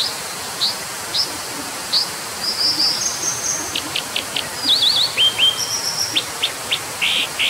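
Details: A brown dipper delivers scattered high chips that lead into a busy run of trills, quick wavering notes and thin whistles, ending with rounder notes, over an unbroken hissing background.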